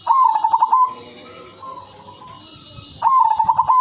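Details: Female silver zebra dove kept as a lure, singing a rippling coo of quick pulsed notes at the start and again after three seconds, with a steady high-pitched hum throughout.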